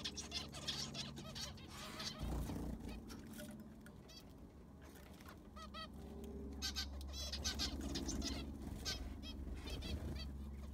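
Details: Zebra finches in an aviary during cleaning and fresh sand replacement: many short nasal beeping calls overlap in irregular bursts, with scraping and thumping sounds and a steady low hum underneath.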